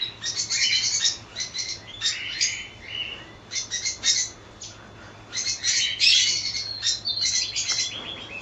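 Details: Colony of cockatiels with rapid, irregular chirping: quick clusters of sharp high notes and short whistles, several birds overlapping, with a low steady hum in the background.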